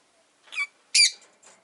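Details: Pet rosy-faced lovebird giving two harsh, high squeaky chirps about half a second apart, the second louder and broader, followed by a faint trailing squeak in a quiet room.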